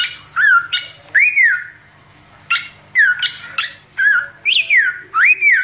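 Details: Oriental magpie-robin singing in 'tembakan' style, used as a tutor recording: loud, arched whistles rising then falling, and drooping whistled notes separated by brief harsh bursts, with a short silent gap midway.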